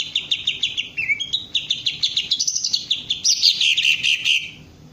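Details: Green leafbird (cucak ijo) being trained to raise its crest and sing ngentrok, opening with evenly spaced sharp chip notes about four per second, then sliding whistles and a loud rich warbled burst before fading.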